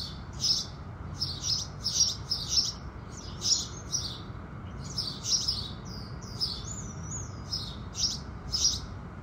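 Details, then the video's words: House sparrows chirping in the morning as the sun rises: quick clusters of shrill chirps, plus a brief thin whistled note from another bird partway through, over soft low noise. "Sparrows Singing"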